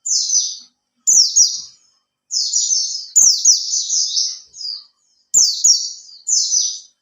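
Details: Oriental white-eye kept in a cage for three months, lure song to draw others into singing: repeated sharp, high warbled bursts of quick descending slurs, about six phrases in seven seconds.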